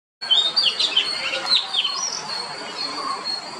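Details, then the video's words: An Oriental magpie-robin sings a quick run of varied, clear whistles with sliding up-and-down notes over a steady high insect-like drone. "Beautiful Song of Oriental Magpie Robin"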